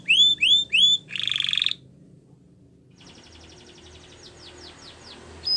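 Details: Canary song for training young canaries: three loud rising whistled notes, then a dense buzzy trill lasting about half a second, a pause, and soft high rapid trilling and falling notes at the end.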